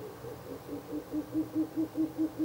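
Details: Ural owl calling near its nest box at night on 16 April 2024, the third night of nest visits: a rapid run of about eleven short, low hoots that grow louder toward the end.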